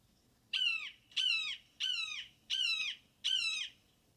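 Red-shouldered Hawk giving five loud, ringing, down-slurred screams in a quick series, one about every 0.7 seconds, over quiet background.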